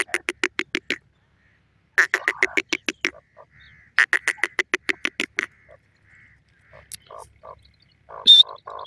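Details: Partridge voice by a cage with a surprised female bird on top; three bursts of rapid, harsh chuckling notes separated by short pauses, then softer nasal calls and one high whistle at the end.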